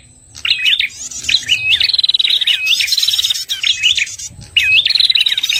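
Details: {'t': 'Lure recording of a red-headed prinia for trapping: phrases of sharp rising chirps followed by fast buzzy trills, repeated about every one to two seconds.'}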